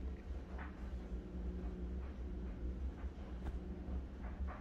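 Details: A low, steady vehicle-like rumble fills the recording, with a few faint soft clicks and no clear animal voice.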